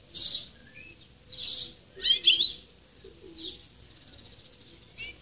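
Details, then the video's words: A European goldfinch gives its breeding call: sharp, high tinkling chirps and a quick twittered double burst, then softer thin notes and one short final chirp. "Goldfinch breeding call"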